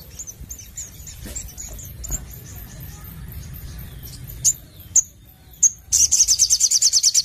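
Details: Sogon (crimson sunbird) with faint, scattered high ticking notes and a few sharp chirps, ending in a sudden burst of rapid, shrill trilled notes; low steady hum underneath.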